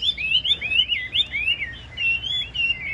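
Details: Chinese hwamei singing in its cage: quick, bright, upward-slurred whistles tumble one after another in a continuous, rolling phrase, high and clear.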